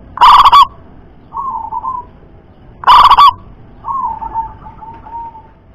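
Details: Local wild zebra dove with a loud, piercing double-kuk voice. Two strong, harsh coo bursts come nearly three seconds apart, each followed by soft rolling cooing notes that fade away.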